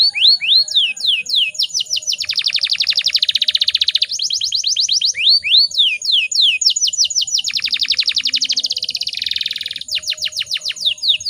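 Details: Female canary in breeding condition, used as a lure to make males sing: loud varied phrases of slurred downward whistles alternating with long, fast, buzzy rolling trills, going on without a break.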